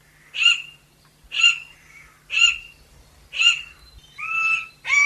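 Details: Chestnut Forest Rail, a smallish rail of montane forest, giving harsh, raspy notes about once per second: four broad rasping calls followed by two squeakier, more tonal notes, with a low background hum.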